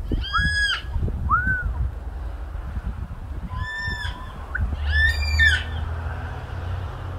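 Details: A family of yellow-tailed black cockatoos on the mid north coast of NSW gives drawn-out, wailing calls, four or five in quick bursts, over a steady low rumble of wind.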